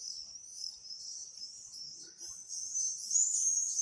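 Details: Swifts calling: high, shrill, buzzy screaming trills run almost without a break, growing louder and fuller toward the end, with faint low background noise.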